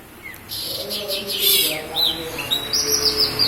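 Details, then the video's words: Local Javan bush lark from Kediri, Java, in lively song: rapid high buzzy chatter giving way to clear rising and falling whistled notes, delivered continuously over a soft background hum. "Branjagan gacor lokal kediri"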